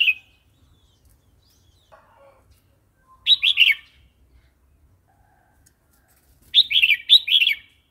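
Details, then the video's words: Wild-style song of a red-whiskered bulbul, played to train new and young birds: a brief clipped note and faint soft notes, then a bubbly phrase and later a doubled, rolling warble. "เสียงนกกรงหัวจุก เพลงป่า"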